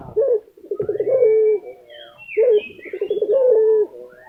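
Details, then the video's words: Two rolling coos from a lutino Barbary dove kept in Indonesia, each a pulsing trill easing into a steady held note. Thin whistled sounds glide above them between the phrases. "puter lutino gacor tembus 2 menit"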